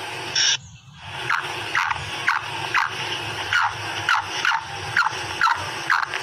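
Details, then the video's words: After a brief burst of hiss, a female black francolin (kala teetar) calls in a steady run of short, downward-sliding squeaks, about two per second, with low hum underneath. "Kala Teetar ki maadi ki awaz / voice of black Francolin female"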